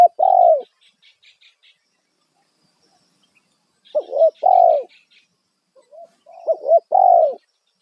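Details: Loud single-kuk spotted dove lure call used to get wild doves to respond: low mellow coo phrases repeated about every three seconds, each ending in a longer falling note, with faint high twittering of small birds between them.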